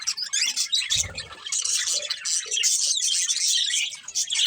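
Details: Breeding pair of colourful budgies giving a continuous warbling chatter of rapid high-pitched chirps and squeaky notes. A short low thump is heard near the one-second mark.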